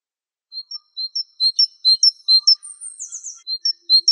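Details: Java sparrow of the Wingko type singing: high, thin chirped notes in quick uneven pairs, then a brief bubbling flourish and more sharp chirps, on a clean, quiet background.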